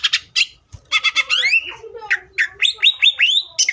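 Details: Busy greater green leafbird song used to provoke other leafbirds, a dense mix of harsh chirps, rising and falling slurred whistles and repeated upswept notes running almost without pause.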